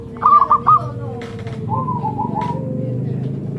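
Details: Sacred Zebra dove giving one quick burst of three or four sharp staccato coos, followed by a softer wavering trill of rolling coos over a continuous low hum.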